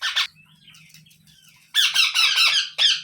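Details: Young parrot producing loud rasping squawks in short clusters, a brief harsh note, then a longer run of grating, chattering calls, over a low steady hum.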